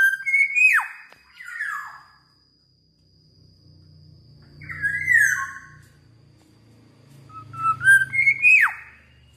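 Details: A pet black-naped oriole in the Philippines gives three rich, fluting whistled phrases, each rising then sliding down, spaced several seconds apart, over a low background hum.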